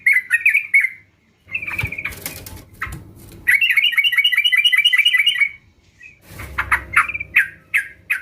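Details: Many sooty-headed bulbuls chorus together as a lure for birds that are slow to sing. Quick chattering notes lead into a long, rapid, evenly pulsed trill, followed by loose, separated chirps against low noise.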